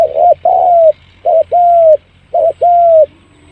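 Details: Spotted dove used as a lure to draw birds in quickly: clean, pure cooing phrases, each a short coo followed by a longer level note, repeated in three pairs over a faint steady low hum.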